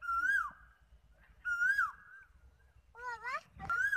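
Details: Loud whistled koel calls, each note swelling upward then falling away, repeated about every one and a half seconds; a different harsh, wavering harmonic sound cuts in near the end before another call begins.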